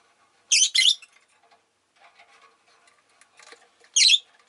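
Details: Pet rosy-faced lovebirds, a group vocal throughout the day; a loud double burst of harsh, buzzy chirps, soft shuffling and faint chatter, then another strident screech about three seconds later.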